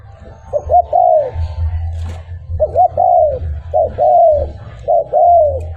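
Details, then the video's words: Spotted dove cooing from a recording played to bring wild birds closer. Four phrases, each short stuttered hoots rolling into a soft falling coo, come about every second and a quarter over a continuous low drone. "Tiếng Chim Cu Gáy Mp3 mở lên bổi gáy theo liền"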